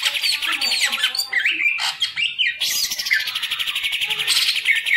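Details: Loud song of a caged green leafbird: harsh squawky notes and rapid chattering trills mixed with quick whistled slurs, continuous throughout.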